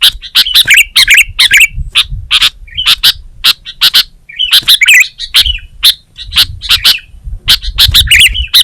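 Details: Sooty-headed bulbul (kutilang) in vigorous continuous song: a busy stream of sharp clicks interleaved with quick warbling whistled phrases, barely pausing for nearly nine seconds, with a quiet background.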